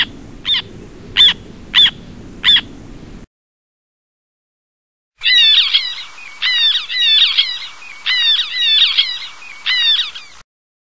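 Black tern giving four sharp, harsh notes about half a second apart, then, after a pause, a rapid run of scratchy, chattering kreek calls.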